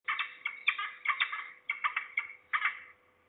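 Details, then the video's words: Falcons calling at Trzebież, Poland, on 2 September 2019 in mid-afternoon, at least two birds, possibly a young bird or a parent; harsh, chattering notes come in four quick bursts of rapid repeated syllables, with a faint steady hum beneath. "We hear at least two falcons (closer, below)."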